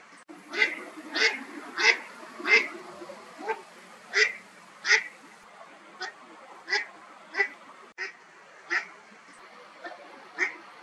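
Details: Swimming Eastern spot-billed duck giving a run of rasping quacks about once every 0.6 seconds, loud at first and then fading to softer, spaced notes, perhaps a contact call while moving.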